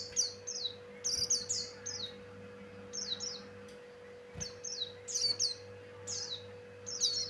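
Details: Javan grey-throated white-eye (pleci Buxtoni), male, singing energetically for luring birds: frequent bursts of high, piercing downslurred whistles, often paired, with brief clicks and a steady low hum underneath.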